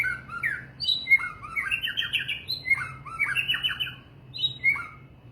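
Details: White-rumped shama singing a rich, varied song of clear whistled notes and quick slurred phrases, some rising and some falling, in bursts separated by brief pauses, over a steady low hum.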